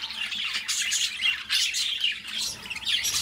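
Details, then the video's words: Pet budgerigars singing: a busy stream of squawky chirps and short rasping warbles, rapid and irregular, several notes a second, with no other clear sounds. "Parrots singing beautiful birds voice beautiful budgies birds sounds"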